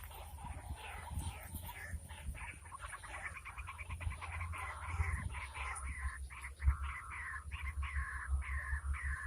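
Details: White-breasted waterhen calls, heard while the bird is being lured and trapped during the rainy season: a long run of short, harsh croaking notes, some rising, repeated in quick irregular bursts over a steady low rumble.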